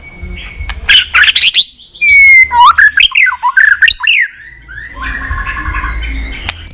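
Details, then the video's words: Many-voiced fighting song of a white-rumped shama, used to stir rivals into singing: a long pure whistle, then a run of swooping, looping phrases followed by a quieter buzzy trill. "chòe lửa hót líu dụ bổi đấu kích lên lửa hiệu quả.kích chòe lửa hót đấu.kích lửa hót nhiều giọng"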